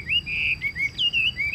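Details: Caged Chinese hwamei in 'ngũ trường' style singing: clear, loud, sustained whistles that swoop upward and level off, several long phrases in under two seconds.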